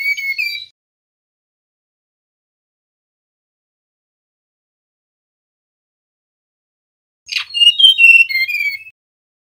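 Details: A male mangrove blue flycatcher, recorded as lure audio to prompt other flycatchers to sing, gives two bursts of high, sweet whistled phrases, a short one then a longer warbling run, separated by silence.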